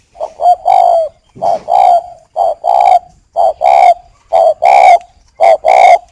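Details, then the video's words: Spotted dove, a captive breeding bird (chim cu khách) from Ba Vì near Hanoi, Vietnam, courting a hen: steady two-part coos, a brief lead note and a fuller drawn-out note, repeated about once per second throughout. "chim cu khách lạ"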